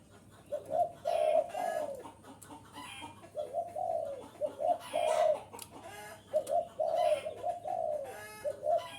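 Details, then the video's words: Spotted dove coo phrases for luring wild doves: short paired coos and drawn-out falling notes repeating over several seconds, mixed with frequent rustling, clicking and scraping noises. "am thanh chim cu gay kich boi,rut boi ve cuc mạnh"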